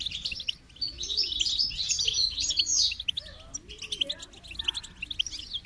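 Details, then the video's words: Goldfinch song, a fast jingling chatter of high notes for about three seconds, followed by spaced chirps and faint lower warbles. "Motivating Song of the Goldfinch"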